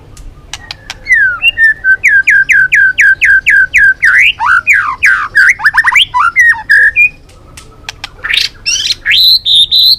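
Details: White-rumped shama singing the balak 6 lure song: a fast run of repeated rising notes, then tumbling varied whistles, ending in loud, high, even notes.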